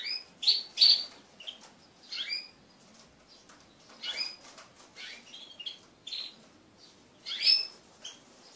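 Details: Crested canaries, pet birds, mating with each other in a group. Irregular high, sharp chirps and clipped twitters come with soft fluttering and patter between the calls.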